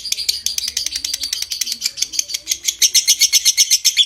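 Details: Lovebird in a long ngekek trill to stimulate breeding condition; quick harsh chatter that turns into clearer, louder, evenly spaced piping notes near the end.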